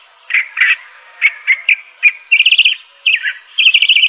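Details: Crissal thrasher singing scattered single chirps, then rapid trilled phrases with fluttering high notes, sweet and varied.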